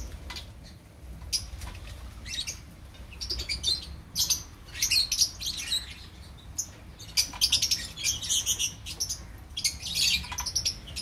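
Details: A colony of opaline lovebirds giving overlapping high, buzzy chirps and twittering, sparse at first and then becoming a continuous, busy chorus.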